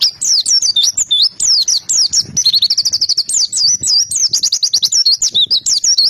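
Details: Oriental white-eye singing energetically: a dense, continuous stream of high, sweet twittering notes, rapid slurred whistles and trills rising and falling without pause for about six seconds, with faint low background noise.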